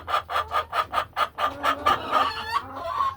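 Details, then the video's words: Laying hens in a hen house on a farm, settling into nesting boxes on a peaceful afternoon; rhythmic clucks repeated about twice per second, steady and even, with a low hum beneath. "A Peaceful Afternoon in the Hen House | Real Farm Sounds"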